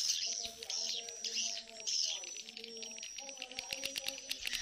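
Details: Edible-nest swiftlet mating and colony calls edited together. Bursts of high, buzzy chirping alternate with a thin sustained whistle, then scattered sharp clicks, over soft humming lower notes.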